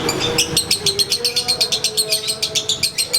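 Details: Konslet lovebird being sunned, delivering its distinctive ngekek: a steady rattle of sharp, bright high chirps at about six per second, clean and rhythmic, over faint low humming.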